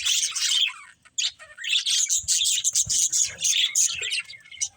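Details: Playing budgies chatter in bright, twittering bursts, falling silent for a moment after one second before resuming a busy, scratchy warble of overlapping chirps.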